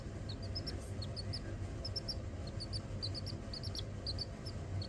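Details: Several baby chicks peep constantly: short, high, bright chirps that overlap in quick bursts, over a steady low rumble.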